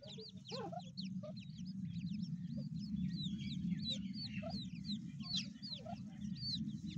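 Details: Grey francolin chicks calling with quick, high, curved peeps, many overlapping notes in a steady stream over a loud, constant low hum.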